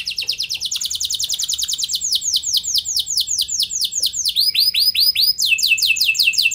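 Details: Gacor canary song used as a lure to make other canaries respond: rapid repeated high downward-sweeping notes, shifting into faster arched syllables and bright trills.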